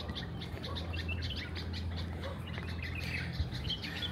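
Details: Small birds singing in a quiet residential neighbourhood in Dubai: many short high chirps and twitters scattered throughout, overlapping, over a steady low hum of background noise.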